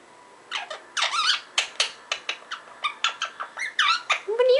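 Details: Parrot gibberish: a fast run of harsh, scratchy syllables and short clicks, irregularly spaced, ending on a thin rising whine.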